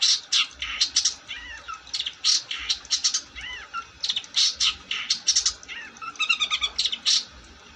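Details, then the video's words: Long-tailed shrike in full song: loud bursts of harsh, raspy notes mixed with downslurred whistles, then a quick rattling trill near the end. "Burung cendet gacor"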